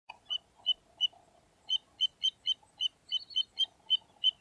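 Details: Little ringed plover calling: short, clear, high piping notes repeated in an uneven series of about a dozen, several slightly doubled, over a faint low murmur of other sound.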